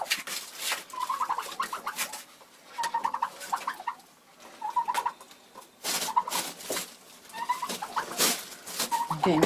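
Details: A Bronze turkey hen, broody and frustrated, in February, utters groups of soft, slightly rising nasal notes about every two seconds amid loud rustling and tapping noises.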